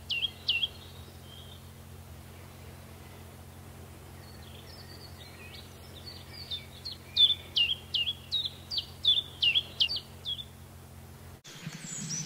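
A Common Chiffchaff sings its even, repeated two-note chiff-chaff, about a dozen high notes at a steady pace, over a low steady hum.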